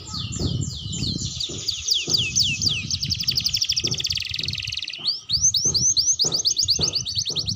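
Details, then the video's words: Song of a young canary still learning to sing: looping down-slurred whistles run into a long buzzy rapid trill, then break into a string of rising chip-like sweeps repeated about twice a second, with low knocking noises beneath. "Suara Kenari Muda Belajar Bunyi"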